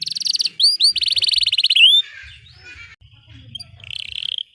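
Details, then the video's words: Canary in long continuous gacor panjang singing, used as tutor song for young canaries learning to sing: fast high buzzy rolls, then rising whistled slurs and another dense roll, fading into softer scratchy notes and a faint trill. "Kenari GACOR PANJANG Cocok utk Terapi Kenari Macet, Masteran Kenari Paud Belajar Bunyi"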